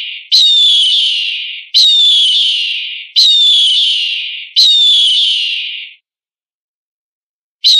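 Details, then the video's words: Eagle call, a training recording for other birds: four identical high, piercing, drawn-out screeching whistles, each fading out over about a second and a half and spaced evenly. A silent gap follows before a fifth call begins. "Suara Masteran Burung Elang"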